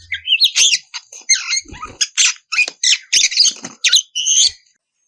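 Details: Oriental magpie-robin female in breeding condition calling the male: harsh squawky chattering and buzzy whistled phrases in short repeated bursts, ending abruptly.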